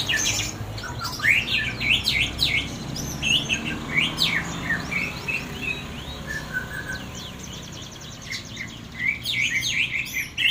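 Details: White-rumped shama undergoing a mental test of its composure. It pours out busy strings of sharp high whistles and chattering notes with brief pauses, over a constant low background hum.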